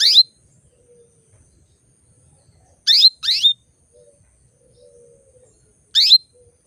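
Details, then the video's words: Female canary calling males toward breeding condition: loud bright descending chirps, one single, then a quick double, then another single, with faint low murmurs in the background. "PANCINGAN KENARI BETINA MEMANGGIL JANTAN"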